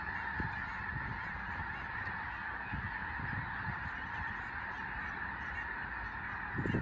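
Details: Large flock of Snow Geese on Fir Island in the Skagit Valley, western Washington State, taking to the air after a raptor such as a bald eagle flies over; a continuous dense chorus of overlapping honks with low rumbling wind or wingbeat thumps.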